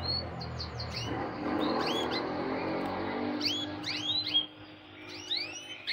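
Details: Breeding-season male canary courting a red female with vigorous song. Scattered short upward-sweeping whistles come in loose bursts over a noisy, hissing background with a steady low hum.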